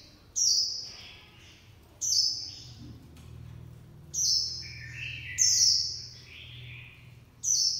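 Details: High-pitched warbling of a Japanese white-eye in 'líu pha choè' style: sharp descending whistles and lower twittered notes in short bursts, with a soft low rumble underneath.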